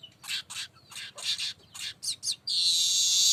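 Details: Baya weaver calling without pause, a recording meant as a lure sound: a run of short, harsh, buzzy chattering bursts about every quarter second, then a loud, sustained, hissing wheeze that closes the phrase.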